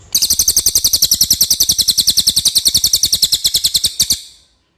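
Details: Common iora singing cleanly, a master recording for songbird training: a single long, steady trill of rapid, piercing high notes running about four seconds before it stops abruptly.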